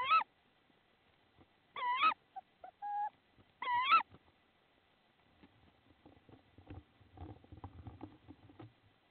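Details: Tawny owl in Estonia on 10 April 2016, a male bringing prey: three harsh, rough calls about two seconds apart, with a couple of short lower notes between them, followed by faint rustling and scratching.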